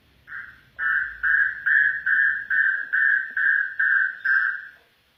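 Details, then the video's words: Afghan bulbul repeating a clear, mellow whistled note roughly every half second, ten times in an even series, then falling silent. "Afghan bulbul bird voice افغانی بلبل کا آواز"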